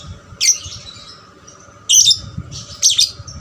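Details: Captive 'paud' lovebird used to make other lovebirds sing, giving three loud, shrill, scratchy squawks about a second and a half apart in a quiet room.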